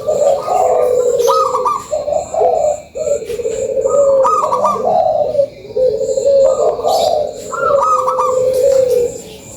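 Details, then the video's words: Zebra dove, local type, lure song: repeated phrases of a short high note then rippling, drawn-out coos, roughly every three seconds, with faint clicking noises behind. "SUARA PANCINGAN PERKUTUT LOKAL GACORRR"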